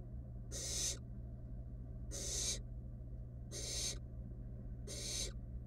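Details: Wild barn owl nestlings in a nest box, one stealing a rat from a sibling that could not swallow it; harsh hissing screeches about half a second long, repeated every second or so, over a steady low hum.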